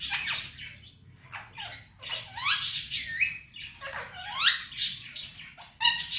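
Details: Male Indian ringneck parakeet kept as a talking pet, known for saying "Mitthu bete" and "Miya Mithu": a jumble of harsh, rising and falling squawks and chattering notes in a small room, with no clear words.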